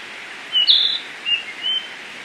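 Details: Tledekan flycatcher singing actively in the wild in Indonesia: a few short high whistled notes, one brighter and longer, spaced apart over steady background hiss.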